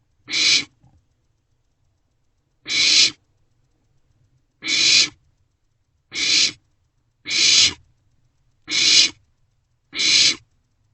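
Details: Barn owlets sharing a meal in their nest box at night, 27 March 2024; seven short, harsh hisses, slow at first with a long gap, then quickening to about one every second.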